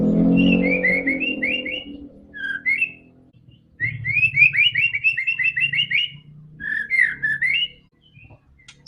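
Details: White-rumped shama singing to draw a silent bird into song: a loud low hum at first, then quick repeated upslurred whistles in a fast rattling series, followed by a lower warbled phrase.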